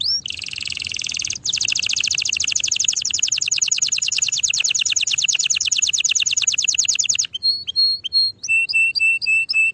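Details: Canary singing a long, even roll of rapid high repeated notes that lasts several seconds after a short opening phrase, then breaks into separate clear whistled notes, some sliding, spaced out at the end.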